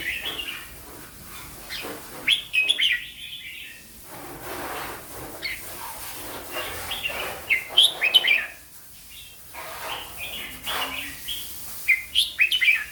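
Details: Red-whiskered bulbul, a caged competition bird, singing in the slow, clear Thai style called cha chat: short bright warbled phrases come in bursts every few seconds over a faint steady background hiss.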